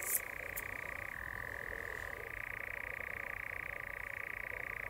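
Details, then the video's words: European nightjar churring in courtship at dusk: a sustained, rapid, rattling purr that shifts down in pitch, holds, then climbs back higher, opened by a short sharp high-pitched noise. "Courtship Nightjars / Nachtzwaluwen baltsen"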